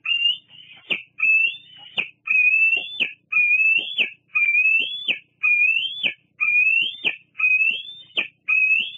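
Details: Bald eagle at Fraser Point on 8 August 2022, squeeing persistently near its mother. About eight upward-curving whistled squeals come nearly once a second, each ending in an abrupt crackle.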